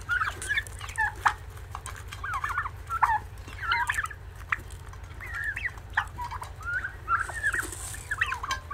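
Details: Turkey chicks calling with short, wavering peeps and chirps around mid pitch, scattered irregularly and sometimes overlapping, over a steady low electrical hum and a faint hiss late in the recording.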